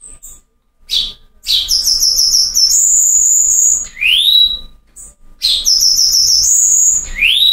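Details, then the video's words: Cuban bullfinch from Cuba singing the rare 'Silvao' song style: a high sibilant note, then thin pulsed and sustained very high whistles, and a clear upslurred whistle, the phrase repeating after a short pause. "Negrito cantando Silvao RARO Cuba"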